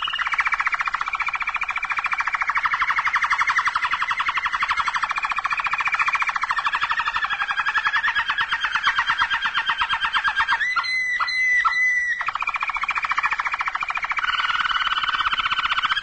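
A Malinois canary sings a long, low, rolling trill with a few clear, bell-like notes midway.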